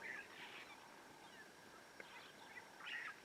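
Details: On safari, one of two Blacksmith Lapwings, a bird that guards its nest and young, gives sharp, metallic clinking notes in short bursts, like a blacksmith hammering steel, against a faint outdoor background; Blacksmith Lapwing.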